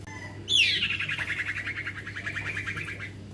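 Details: Common iora youngster, a male called cipoh or sirtu, noisy and persistent: a bright whistle sweeping steeply downward that runs straight into an even, rapid trill lasting nearly three seconds, with faint steady hum beneath.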